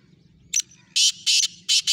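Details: Black francolin (Francolinus francolinus), call.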